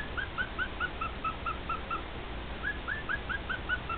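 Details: Domestic male cockatiel singing for two other cockatiels. Short, evenly paced whistled notes, each with a fainter higher overtone, repeat roughly twice a second. A brief pause comes before a second similar run, over a low steady hum.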